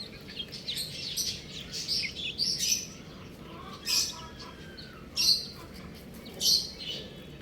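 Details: Young buff chicks peeping in shrill, high bursts that come in loud clusters roughly every second or so, over a steady low background hum.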